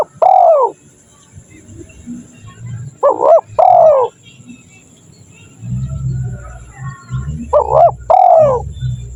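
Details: Spotted dove call used as a lure for wild doves: three coo phrases, each a quick stuttered double note followed by a longer drawn-out hoarse coo, separated by pauses with low rumbling background noise.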